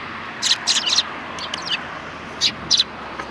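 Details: Sparrows at a Tenmangu shrine, recorded 3 January 2020, utter short high chirps in small bursts of two or three, with pauses between them and a soft background hum.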